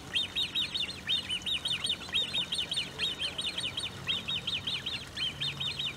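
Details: Great crested grebe with young recorded 1 August 2018 at De Gouden Ham near Maasbommel: insistent high-pitched peeps in rapid bunches, pulsing steadily with short gaps, low engine-like drone underneath.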